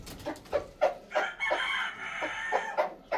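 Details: A red junglefowl rooster at a hill chicken farm gives a harsh, drawn-out, slightly wavering crow in the middle, framed by quick clucking notes about three times a second.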